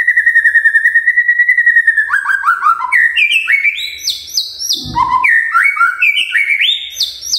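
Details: Morning magpie-robin song to trigger others; a sustained whistled tone with fast rhythmic pulsing, then quick stepped upslurred notes climbing higher, interrupted briefly by a low thump.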